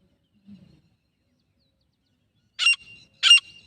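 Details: Female grey francolin (teetar) from Jharkhand, India, presented as a kumaju hunting sound: after a faint low murmur, two loud, harsh, rasping notes about half a second apart, each trailing a thin steady tone.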